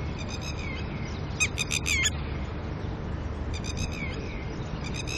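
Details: Red-wattled lapwings, a pair with chicks disturbed by a person at dawn, give one clear burst of about five sharp, harsh notes, followed by fainter, more distant call series; low rumbling background throughout.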